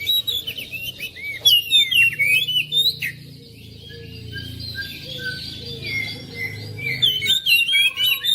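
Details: Home-kept oriental magpie-robin song played to coax a quiet bird into singing: sweeping whistles and sharp chirps at the start and end, a softer lull in the middle over low rumbling background noise.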